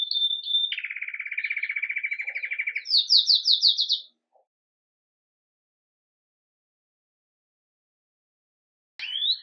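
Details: Belgian canary, red mosaic agate, in lively Campainha song at the start of the day, recorded live: a short whistled note, a long even rolling trill, then a brief higher buzzy trill, followed by silence and a last rising note.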